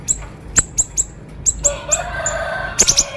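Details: Siri-siri bird in sharp 'konslet' song for training other birds: quick high chirps in a short series, a drawn harsh buzzy passage, then a rapid triple chirp at the end.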